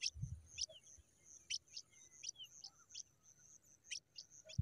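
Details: Young pipits with quick, piercing high chirps in irregular bursts, some doubled, against a constant thin high-pitched background tone and a few soft thumps.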